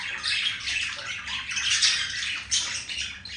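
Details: Male green budgie flirting with a female, giving a short burst of chirpy, scratchy warbling with squeaky high notes and slight dips in loudness.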